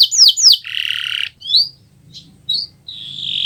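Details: Kenari Nusantara canary singing in gacor style, a recording made to tutor other birds: two quick downward-swept whistles, a harsh buzzy note, then short rising chirps and a sustained high buzzy tone.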